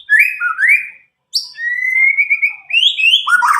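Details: Young white-rumped shama from Medan, roughly nine months old and untutored, used to encourage young birds to sing: rising whistled slurs, a long level whistle stepping upward, then lower rich notes.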